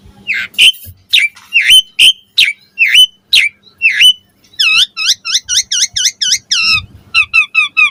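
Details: Asian pied starling song intended to prompt other starlings to sing: a string of hooked whistled notes, then a fast series of repeated ringing chirps, and a final quicker burst.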